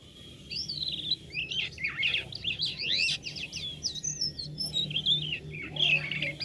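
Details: Black-winged starling in lively song with unusual sounds: a fast run of high, twisting whistled notes and chirps, jumbled and continuous, over a steady low electrical hum.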